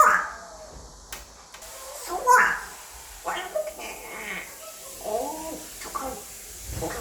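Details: Male African grey parrot, five years old, kept indoors as a pet, trying out English words: a run of short, garbled, speech-like phrases with raspy harmonics, irregularly spaced, some sharper squawky syllables, in a small room.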